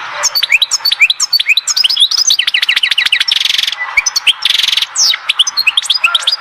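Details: Continuous twittering of a European goldfinch, Oued Zhour, Skikda: rapid liquid chirps, repeated up-and-down slurred notes and two dry buzzing trills, delivered in an almost unbroken, lively stream.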